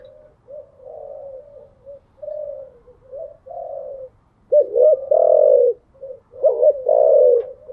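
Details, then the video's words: Spotted dove cooing at dawn in captivity: a run of soft, low murmured coos builds into louder phrases of a stuttered double hoot followed by a long steady coo, repeated twice. "Tiếng chim gáy buổi sáng, mở lên vừa nghe thư giản vừa luyện bổi gáy theo. ÂM GÁY CHUẨN ÂM"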